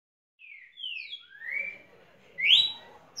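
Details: Champion Red-cowled cardinal singing: clear whistled slurred notes, two falling and two rising, spaced about half a second apart, ending on a brighter upward-swept whistle.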